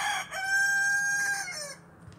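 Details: Rooster crowing: a short rough opening note, then a long sustained harmonic cock-a-doodle-doo held for over a second before it fades, with a faint background murmur.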